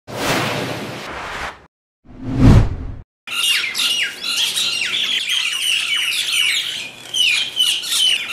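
Myna birds squawk in a dense, harsh, overlapping chatter of grating calls during a fight, after a few seconds of thumping, broadband noise.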